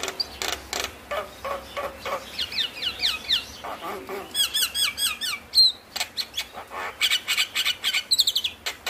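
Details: Javan myna song for stimulating lazy mynas to sing: clicking, scratchy chatter rising into rapid squeaky whistled trills and harsh bursts, busy and continuous with short gaps.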